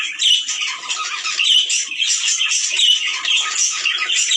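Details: Budgerigar mating chatter, used to encourage males and females to breed: a steady stream of high, scratchy warbles and squeaky chirps, rising and falling in short bursts without a break.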